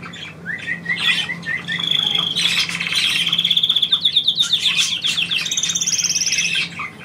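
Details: Pet bird indoors trilling on command from its owner: a row of short whistled chirps opens, then a long fast rattling trill runs for several seconds, followed by a higher buzzy trill and soft squeaks.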